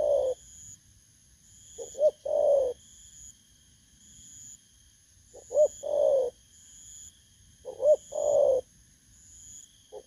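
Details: Repeated cooing from a wild-caught spotted dove in Vietnam, 19 August 2024. Phrases of two short notes and a prolonged, softly falling coo recur every two to three seconds. A pulsing high whine and a steady tone sit behind.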